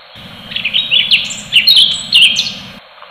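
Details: Orange-bellied leafbird singing full tembakan: clustered bursts of bright, high whistled notes and rapid chirps in three or four loud phrases, fading out at the close.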